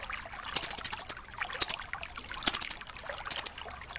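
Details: Nuthatch known locally as rambatan doraemon, in full tembakan style for tutoring other songbirds: four sharp, very high trill bursts, the first longest with about eight fast notes, then shorter clusters at uneven gaps.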